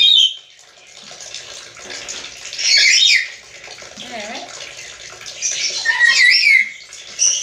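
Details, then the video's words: Black-capped lory, presented as talking like a human, making rough, noisy squawking bursts with a brief nasal wavering sound between them, all against a steady rushing background hiss. "Burung nuri kepala hitam bicara seperti manusia"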